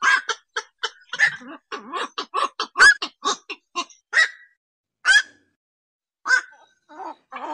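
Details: Ok bird (অক পাখি) calling: a loose series of harsh, honking, harmonic notes in quick bursts, some with rising and bending tones, becoming sparser toward the end with short pauses.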